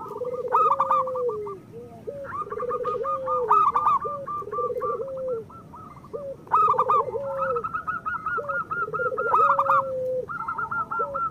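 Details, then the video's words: Cooing song of local zebra doves, used as a master to get lazy or moulting birds singing: repeated low burry trills ending in held notes, interwoven with quick rattling higher coos, continuing steadily throughout. "Perkutut lokal gacor Masteran Perkutut Suara Kristal"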